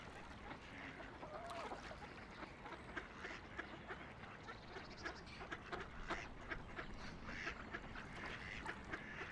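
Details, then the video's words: Ducks on a quiet river, floating, splashing and playing, quack in a steady jumble of short, harsh bursts that overlap throughout, over soft background water and ambient noise. "Relaxing Ducks Quacking by the River"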